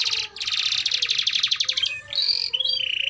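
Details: Vigorous domestic canary song used to coach young canaries; a long, fast rattling trill lasting nearly two seconds, followed by short clear whistled tones at steady pitch.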